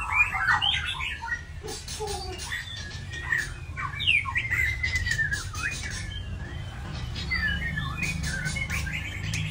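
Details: Varied phrases from a white-rumped shama: quick chattering clicks, then looping whistled notes that swoop up and down, repeated in irregular bursts over a low background hum.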